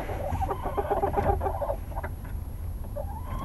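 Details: Coop chickens going to bed at night give a run of murmured, repeated clucks, busiest in the first second and a half, then a single rising, drawn-out note near the end, with low background rumble.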